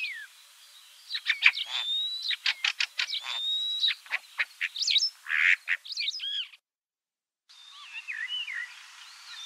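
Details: Common starling singing a rapid series of clicks and ticks mixed with long thin whistles and squeaky slurred notes, which breaks off briefly before warbling whistles resume.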